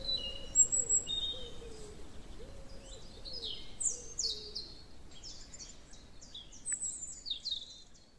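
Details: A European robin at Vallon de Nerval, Rolleville, sings thin, high, liquid phrases of varied trills and sliding notes, with a low hooting call and soft background noise in the first half.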